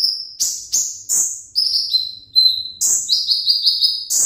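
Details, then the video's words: Sunbird, a konin ringgit, singing eagerly as if asking to be taken to the hanging stand; high thin trills and long buzzy notes that step down in pitch, repeated in bursts with sharp chips between. "KONIN RINGGIT PENGEN DI AJAK KE GANTANGAN"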